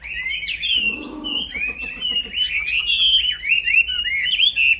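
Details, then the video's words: A caged black-throated laughingthrush in full, continuous song, used to train songbirds: bright whistled warbling phrases linked tightly together, broken early by a short, low, rough burst, then resuming as rapid rising and falling whistles. "Burung Wambi Gacor Plong fighter Yang Bikin Kena Mental Burung Wambi Lain, Masteran Kicau Tanpa Jeda"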